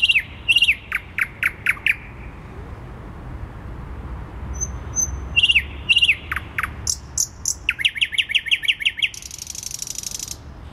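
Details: Thrush nightingale singing in central Warsaw, Poland, on 12 May 2020. Two loud phrases of sharp, repeated descending notes, separated by a pause with a faint high whistle. The second phrase ends in a fast run of rising notes and a dry, buzzy rattle.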